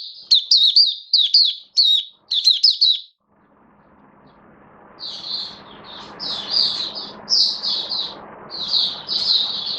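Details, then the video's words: Hobby-kept oriental white-eye singing in build-up form, 19 September 2022: clear high, quick twittering phrases at first, then, after a short pause, further warbled notes over a steady hiss and low background hum. "Mata Puteh V2 Raja Buka Sing Build Up Form"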